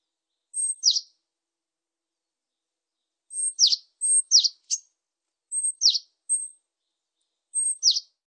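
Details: Great tit song: very high, thin two-note phrases, a brief piercing upper note dropping into a lower sliding note, delivered in short bursts separated by pauses of one to two seconds; quiet background with no other sounds.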